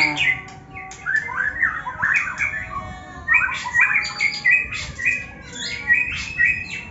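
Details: White-rumped shama (murai batu), either a bird with a cataract or one formerly 'cabul', in harsh 'ngetrek' song: squawky, rattling bursts and short slurred notes in uneven phrases, with faint room noise behind.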